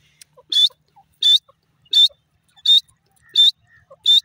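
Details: Grey francolin giving a single clear, high squeaky note repeated at a steady pace about every 0.7 seconds, quiet pauses between, faint softer chirps in the background.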